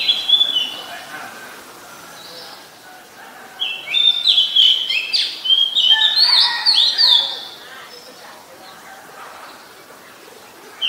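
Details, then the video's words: Oriental magpie-robin, a very common resident, singing in Ubon Ratchathani, Thailand, on 17 November 2021, recorded with a Nikon P1000. A few clear whistles open, then a dense run of varied, rich whistled and warbled phrases follows before quieter notes return. "นกกางเขนบ้าน Oriental Magpie Robin (singing)"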